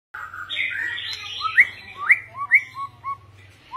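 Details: White-rumped shama singing varied phrases: clear whistled notes rising and falling between low and high pitch, a few sharp upslurred whistles, with a steady low hum underneath.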